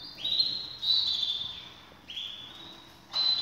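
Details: Canaries kept for breeding, ready to pair; softer song of drawn-out, slightly rising whistled phrases separated by short pauses, over a faint low background hum.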